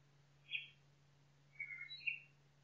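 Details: Faint nightingale phrases in a forest: a single sharp high note, a pause, then a short buzzy warble and a final high chirp, over a hissy background and low hum.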